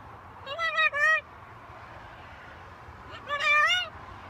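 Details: Talking pet macaw out on a balcony: two bursts of loud, choppy, harmonic speech-like syllables, the second longer and wavering, separated by about two seconds of quiet hum.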